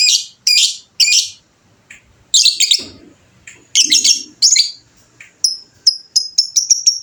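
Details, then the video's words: Fighter lovebird chatter: three quick shrill bursts, then denser rasping phrases. The clip ends in a fast, even trill of thin, high, clipped notes. "SUARA BURUNG LOVEBIRD FIGHTER MANTAP"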